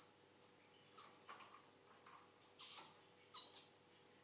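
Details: Algerian goldfinch producing three loud, high, ringing notes over about four seconds, each fading quickly with a soft trailing twitter, in a quiet setting.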